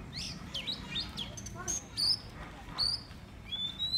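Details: Black drongo used as a decoy bird, singing an improvised song: sharp whistled notes sliding down, then high thin rising and falling whistles, given in short spaced bursts over a low background rumble.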